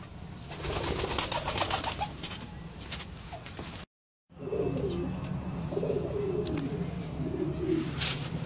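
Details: Cooing of a red Indian Fantail pigeon, a selectively bred fancy pigeon: soft, low, burbling coos in the second half, with intermittent clicks and rustling noise and a brief gap of silence midway.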